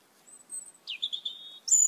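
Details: Asian glossy starling, one of many red-eyed birds raiding papaya plants in a yard: a thin high whistle, then a sharp dropping note that levels into short buzzy pulses, ending in a loud piercing high chirp.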